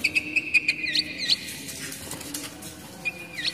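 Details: Oriental magpie-robin song used to lure young wild birds and to encourage moulting birds to sing: quick repeated sharp notes and rising whistled slurs, a pause, then a flat whistle that swoops upward.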